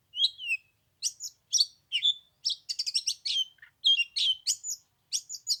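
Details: Oriental magpie-robin singing in 15-degree cold on the third day of Tet: quick bursts of bright whistled and scratchy notes, some downslurred, in fast repeated clusters with short gaps.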